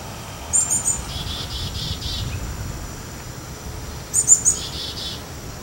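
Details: Black-capped chickadee, a species living scattered across the United States. Two phrases, each opening with sharp high notes and ending in four or five repeated buzzy lower notes, the second phrase coming about three and a half seconds after the first.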